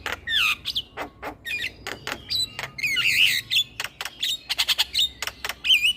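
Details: Male black-winged starling, song played to lure every kind of starling; quick run of harsh clicks, squeaky slurred whistles and noisy chattering bursts, steady and energetic throughout.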